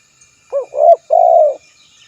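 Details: Spotted dove calling a rival, recorded for luring other doves: one three-part coo, a short low hooting note, a louder rising note, then a long steady coo, in a quiet background.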